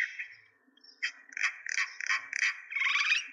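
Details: Myna chirping in Kulaura, Moulvibazar, Sylhet, Bangladesh: bursts of harsh, chattering notes repeated rapidly, growing busier and denser toward the end, with a thin sustained high whistle underneath.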